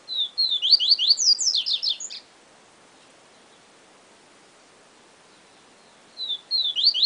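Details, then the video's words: Yellow-bellied seedeater (papa-capim) male presented as a 'professor' bird, singing in the Siu Siu style: a rapid two-second phrase of high, sharp, slurred notes rising and falling, then a pause and the phrase starting again near the end. "Papa Capim Siu Siu Professor"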